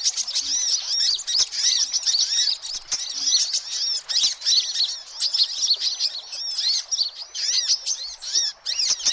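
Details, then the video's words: A busy chorus of noisy sunbirds, a recording meant to draw in all sunbird kinds: rapid high-pitched chips and repeated arched twitters overlapping without pause, with scattered faint clicks. "suara kolibri ribut"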